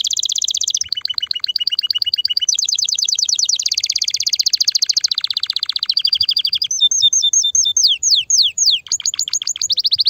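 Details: Loud domestic canary song to stimulate mating: continuous chain of fast trills changing tour every second or two, with rolling buzzy passages and sharp downward-sweeping notes near the end.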